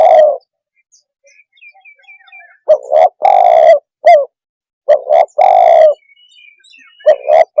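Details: Tekukur, the spotted dove, giving a call meant to rile other birds: strong repeated coo phrases, a doubled short note then a long husky coo and a clipped falling note, with faint thin chirps from other birds between.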